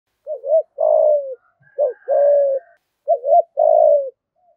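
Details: Spotted dove luring call used to provoke fighting, three repeated phrases, each a short double-humped coo followed by a longer, lower, slightly falling coo, with a faint higher whistle in the background.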